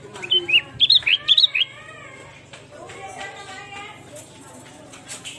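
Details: Lure song of a sooty-headed bulbul: a rapid run of rich, gurgling whistles rising and falling over roughly a second and a half, then a quieter stretch with soft rustling and distant clicks.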